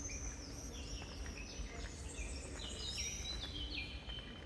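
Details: Blackbird song from the Santa Chiara Monastery cloister garden in Napoli, where serin and blackcap also sing; fluting whistles and short slurred phrases, some rising sharply, over constant low traffic rumble.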